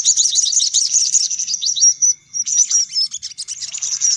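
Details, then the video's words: Sunbird lure: a quick run of high, bouncing chirps, a short break, then sharper scattered twitters. "Suara Pikat Burung Kolibri Paling Manjur || Sogok Ontong Ribut"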